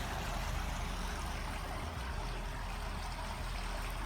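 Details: Continuous rushing, stream-like wash of broadband noise with a low rumble and no animal voices.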